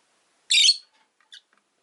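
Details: A single loud, shrill chirp from one of five rosy-faced lovebirds caged by a window, harsh and buzzy. A much fainter short chirp follows about a second later, then quiet.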